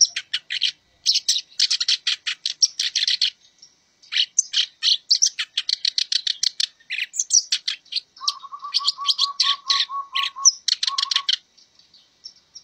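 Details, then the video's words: Black-browed reed warbler singing in a training recording for cage birds: dense bursts of harsh, chattering notes in quick rapid series, with short pauses between phrases, and a low, even, rapidly repeated trill near the end. "MASTERAN - Kerak Basi Alis Hitam Gacor Bocor"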